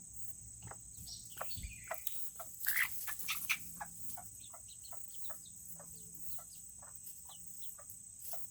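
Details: Tiny Serama chickens kept in a coop on a cooler Tuesday; a short burst of louder chirps and clucks near the middle, with quieter peeps before it, surrounded by frequent clicking and pecking noises and constant high hiss.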